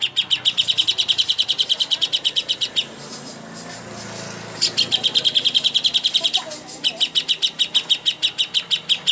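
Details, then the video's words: Greater green leafbird as contest master song: three bursts of fast, high, evenly repeated metallic notes, separated by short gaps with a soft hum underneath. "masteran ampuh untuk burung cucak hijau Lomba"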